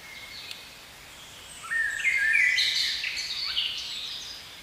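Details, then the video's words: A single blackbird phrase from a spring forest: a mellow rising whistle that breaks into a cluster of thin, high twittering notes, with faint hiss before and after. "Blackbird Song"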